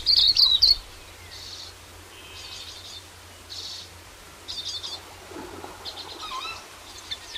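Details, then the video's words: Silvereye, or waxeye, from New Zealand: a loud burst of high chirps at the start, then soft, scattered twittering notes in short clusters over steady low background hum. "Silvereye [Calls/Song]"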